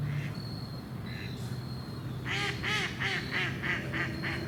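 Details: Ducks quacking: a couple of faint calls first, then a steady burst of about seven harsh, nasal quacks in quick succession over low rumbling background noise and a thin high whistle-like tone.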